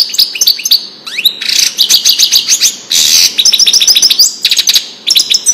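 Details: European goldfinch singing in the Wedani style, a recording made to teach the song to young goldfinches. The song is loud and fast, with tinkling, twittering high notes, rapid trills and brief harsh buzzy bursts that run almost without pause.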